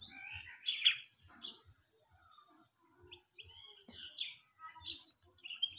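White-throated fantail giving high, thin, tinkling whistled phrases in short bursts, with a steady high insect-like hiss and faint low thumps beneath.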